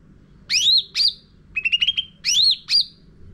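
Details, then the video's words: Lure song of a sooty-headed bulbul, used to train caged birds: two rising, slurred whistles, then a quick run of five clipped chirps, then two more rising whistles. Soft low hum in the background. "Pancingan Cucak Ranting Gacor Isian Full"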